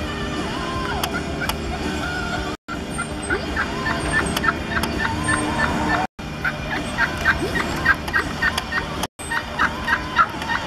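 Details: Several domestic turkeys visiting an office near Thanksgiving gobble in rapid, rattling bursts that overlap one another, with a steady murmur of background noise and a few brief breaks.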